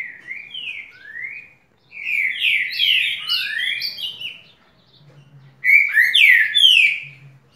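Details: House wren singing a lot: two bursts of rapid, tumbling song made of quick slurred whistled notes sliding up and down, a short pause between them, with a faint low hum in the background.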